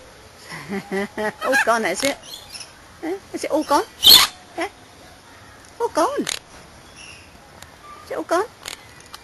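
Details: Quaker parrot, a pet monk parakeet, chattering human-like words about his apple: bright, scratchy syllables strung into phrases, one sharp squawk midway, then more slurred talking after a pause.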